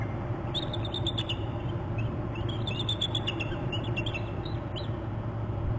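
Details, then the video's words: Alerting bald eagle near its Hornby Island nest on January 26: scattered bursts of quick, high twittering chips in several clusters, fairly soft against a continuous low rumble. "153 alert calls"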